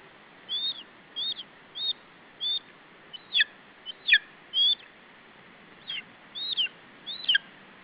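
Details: Lesser spotted eagle chick at an Estonian nest, defending its food against an adult in July; a series of high, sharp, down-slurred squeals, about ten in eight seconds, some doubled, over constant hiss.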